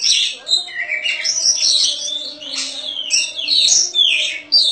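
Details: Prize-winning caged Oriental magpie-robin in full voice, its song rich in varied fills and sharp notes: dense cascades of high whistles, downslurred phrases and chattering notes with hardly a pause, a soft low hum beneath.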